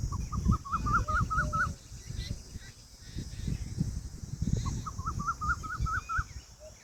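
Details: Two separate bouts of rapid, repeated upslurred notes from an Indian peafowl peahen, each about seven notes over roughly a second and a half, set against low-pitched rumbling background noise.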